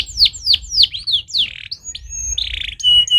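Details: A canary sings a quick run of high, sweeping notes that drop steeply, then buzzy rolled trills and clear, level whistles, over a faint low hum.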